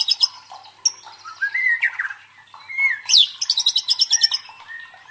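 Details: White-rumped shama song used as a provoking lure to train a contest bird's fighting spirit: varied whistled notes and rising slurs, then bursts of rapid buzzy trills repeated in quick pulses.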